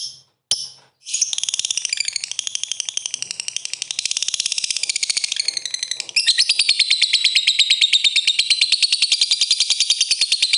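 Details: Lovebird giving a long ngetik ngekek call to get rival birds singing: after two short opening chirps, a fast, high, buzzy chatter of rapid notes runs on and turns louder and more even after about six seconds.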